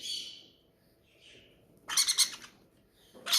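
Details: Captive parrots, hungry at feeding time, give harsh, buzzy rasping squawks: a fading screech at the start, then a loud burst of rapid scratchy notes near the middle and another at the end, with quiet gaps between.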